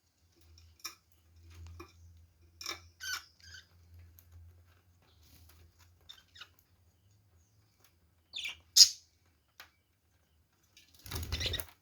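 Budgerigars give scattered sharp chirps and scratchy squawks over a low steady hum.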